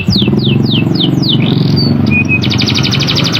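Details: Singing canary used as a lure for other canaries: five quick downward-sweeping high whistles, a short rising note and thin level tones, then a rapid buzzy trill, all over heavy low background rumble.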